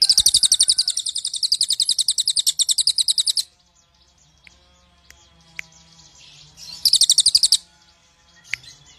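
Black-winged flycatcher-shrike giving a rapid, very high chattering trill of sharp chirps for about three seconds, then a quiet pause and a shorter second burst.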